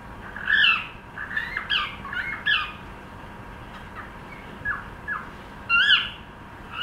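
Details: A pet cockatiel trying out its song, with bursts of quick squeaky whistles and chirps, a quieter stretch of soft downward notes in the middle, then a loud rising-falling whistle.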